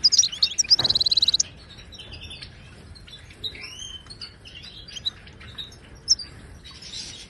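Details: Wild Moroccan goldfinch singing in Widani style, a tutoring song for caged birds: a quick dense trill about a second long opens, followed by scattered soft twitters and occasional thin high chirps.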